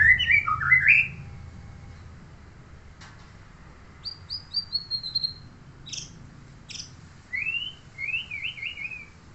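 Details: White-rumped shama belonging to a neighbour: a loud warbled whistle at the start, a long pause, then thin high sliding notes, sharp clicks and a trilled rising phrase near the end, with a quiet low rumble throughout.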